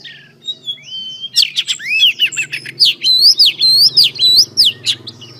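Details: Female Oriental Magpie Robin singing to excite males: a soft whistle, then a steady series of loud, sharp rising whistled notes roughly twice a second, over a low background hum and muffled voices.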